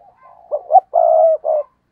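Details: Spotted dove used as a decoy, cooing in the stuttering 'gù cà lăm' style to excite wild doves; one phrase of two quick rising notes, then a sustained hoarse coo and a short closing note.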